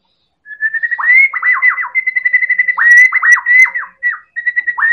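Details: White-rumped shama from Medan singing as a lure for other birds: a level whistled trill with rapid downswept notes set into it, running almost continuously for four seconds after a brief pause.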